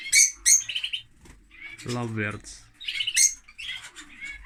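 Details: Lovebirds calling noisily with shrill, high chirps and short squeaky notes in uneven bursts; a person's voice briefly overlaps the middle of the calls.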